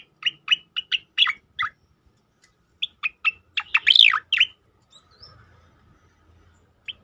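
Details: Striated grassbird (cicakoreng) in the 'tembakan' style, used for training and provoking other birds: evenly spaced sharp chirps in quick series, a loud sweeping whistled climax, then quiet.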